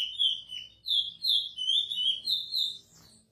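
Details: Chestnut-bellied seed finch (curió) delivering a praia song edited for encarte training, with about five bright, looping whistled notes in quick succession, then fading into soft background noise at the end.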